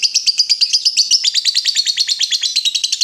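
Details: Lovebird calling in ngekek style, used to draw answers from other lovebirds; a fast continuous chatter of high sharp chirps, roughly six per second, throughout.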